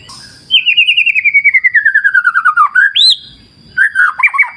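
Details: White-rumped shama (murai batu): a long, fast trill of repeated notes slides steadily downward, followed by a sharp rising whistle, then a burst of warbled notes.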